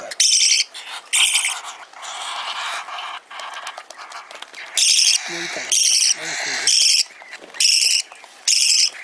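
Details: Parakeet chick calling while eating during feeding: harsh, raspy, hissing bursts about half a second long, given in irregular runs of five or so with brief pauses, quieter scratchy fussing in between.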